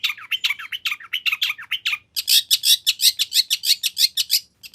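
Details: Long-tailed shrike in full song with imitation fill-ins, used as a lure so shrikes respond: quick varied twittering slurs, then a fast run of loud, harsh, buzzy notes about four per second.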